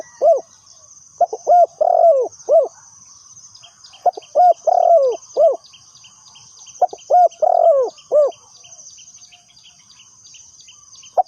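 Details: Caged lure spotted dove for trapping repeats its coo phrase three times, each a cluster of four or five throaty, arching coos, with pauses of about a second between phrases. A steady high insect buzz and faint ticking run throughout.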